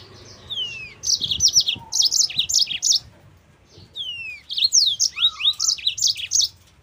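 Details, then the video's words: Yellow-fronted canary, recorded as master and lure song for training other canaries, delivering two long phrases: gliding downslurred whistles leading into dense clusters of high, ringing chirps, separated by a brief pause. "MASTERAN BURUNG MOZAMBIK GACOR"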